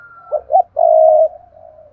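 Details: Spotted dove lure bird giving its daily urging and calling coos: two short hollow notes followed by one long, steady mellow coo and a softer trailing tail.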